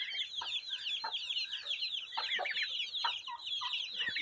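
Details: Turkey chicks peeping steadily, a dense chorus of short, high, down-slurred cheeps overlapping continuously from many birds, with a few lower, louder chirps standing out.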